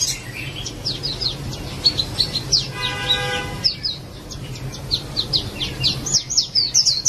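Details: White-eye song of rapid, high, sharp chirps and slurred tweets in quick bursts, broken midway by a short steady tonal hum, then resuming fast and bright to the end.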